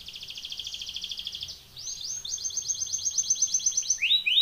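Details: Canary singing for training: a fast rolling trill, a short pause, then a longer chopped trill of rapid notes, ending with quick downward-sliding whistles.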